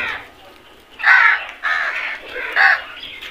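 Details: Crows calling as a flock while eating, harsh nasal caws repeated roughly every half second to second, several loud in a row, with quieter calls between them.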